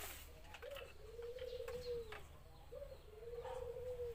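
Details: Cooing song of a zebra dove. A brief upswept note leads into a drawn-out, faintly rolling coo that dips at its end, given twice about two seconds apart against steady low rumble.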